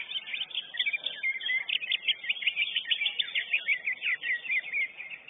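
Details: Lesser green leafbird, first-place winner of a singing competition, pours out a rapid, varied warble of whistled and chattered notes that pulses in quick bursts throughout.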